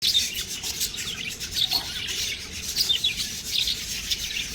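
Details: Budgerigar chicks chirping: dense, scratchy, high-pitched chatter with quick squeaky notes overlapping throughout, steady and busy with no pauses.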